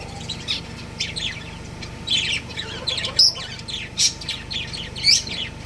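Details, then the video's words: Breeding pair of budgerigars chattering with soft twittering and louder piercing chirps roughly once a second, against a steady low hum. "Love Birds Chirping Sounds | Cute Budgies Breeding Pair"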